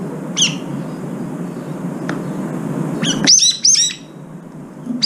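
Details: Brown-eared bulbuls, arriving one or two at a time to feed around a food bowl at a windowside feeder, give sharp, high, down-slurred chirps: one alone, then a quick run of four, over a steady low rumble that drops away midway.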